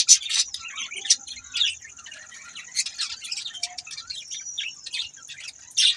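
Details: Budgies chirp and warble continuously, mixing harsh squawky bursts with softer twittering and thin whistles, over a steady high whine.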